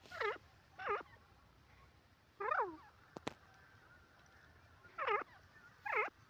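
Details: Grey francolin notes, quavering and harmonic, come singly or in pairs at irregular intervals against a steady electrical hum, with one sharp click in the middle.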